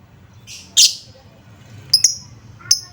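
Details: Lovebird lure sound for coaxing lovebirds to sing: a harsh, high chirp followed by a pair of thin, ringing whistled notes and a final clipped note, with faint background hum.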